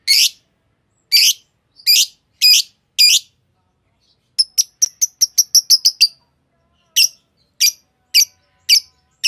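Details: A singing green Fischer's lovebird gives five rasping high chirps, then a fast string of about a dozen thin ticking notes, then more spaced chirps.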